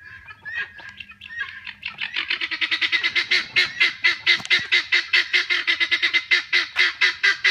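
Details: A helmeted guineafowl from a flock kept for tick control gives a loud, rapid series of harsh, clipped notes. The series starts faintly, then builds to about two notes per second in a steady, grating rattle.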